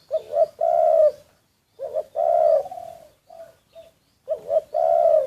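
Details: Decoy spotted dove, recorded secretly, giving three full phrases. Each opens with a wavering short note and ends in a long, slightly falling throaty coo, with faint single coos between phrases.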